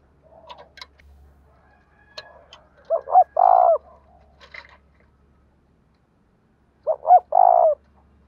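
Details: Spotted dove cooing in the style called đồng thổ voice: two phrases, each a pair of short rising-falling notes and a longer sustained hooting coo, about four seconds apart, with faint scattered chirps and ticks between.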